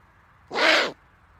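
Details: Owl giving a funny call: one harsh, breathy screech of about half a second, broad and noisy with a faint lower tone running through it, in an otherwise quiet setting.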